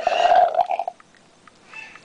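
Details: A female pet bird that loves cups and drinks imitates slurping or straw-drinking, a loud gurgling slurp lasting about a second that breaks into short bubbly pulses, followed by faint clicks.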